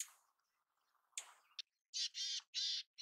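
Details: Mountain chickadee gives faint scratchy notes, then three loud, rasping, buzzy notes in quick succession near the end.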